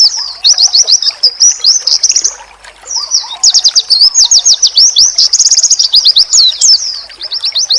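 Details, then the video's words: Oriental white-eye song used as a training recording, said to make rival white-eyes answer at once: long runs of rapid, high, twittering chirps in fast rolling trills, with one brief pause near the middle. "Sekali Lawan denger,Pasti Burung Pleci lain Auto nyaut"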